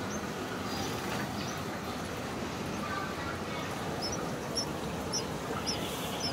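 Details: Light-vented bulbul chicks of the Taiwan subspecies in a nest outside a house window in Taiwan, fourth day of being fed, June: thin, high, short chirps repeated in the second half over a steady, loud background hiss.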